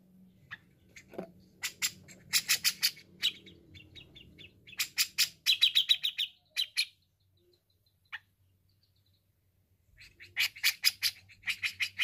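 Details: Actively singing grey-cheeked bulbul, used to train untrained birds: bursts of rapid harsh chattering notes, some buzzy and slurred, broken by short pauses, with a faint low hum beneath.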